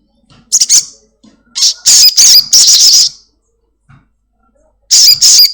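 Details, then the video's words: Black-winged myna kept at home, its strong song serving as a lure for a caged bird; loud rasping, buzzy screeches come in uneven bursts, a longer harsh phrase mid-clip, then two more grating notes after a pause. "Sogon gacor || Pancingan sogon rumahan agar cepat bunyi"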